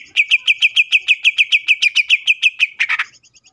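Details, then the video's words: Greater green leafbird singing fiercely and continuously, used as a lure to prompt other leafbirds to sing and become agitated: a fast, even series of about fifteen sharp, clipped notes, roughly three per second, ending in a brief harsh burst. "CUCAK IJO GACOR GANAS BUKA MATERI❗PALING AMPUH BUAT PANCINGAN IJO AGAR CEPAT BUNYI AUTO EMOSI!"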